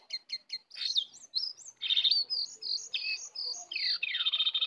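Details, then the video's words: Sooty-headed bulbuls, wild and caged, dueling in fierce full isian song. Three quick clipped notes open, then a tumbling chain of bright whistled phrases and a harsh, buzzy ending. "pertarungan sengit antara Jongkangan liar vs jongkangan sangkar, full isian"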